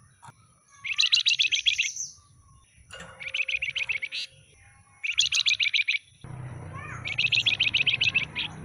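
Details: Flamboyan with a docked tail, fresh from a bundle of caught birds, singing four rapid bursts of repeated chipping notes; a loud hiss of noise starts near the end under the last trill.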